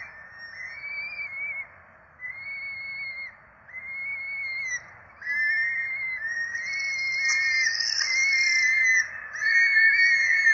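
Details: Peregrine falcon nestlings begging as they are fed in Rome, April 2024: repeated arching whistles, spaced at first, then growing louder and overlapping into a continuous chorus of screeches.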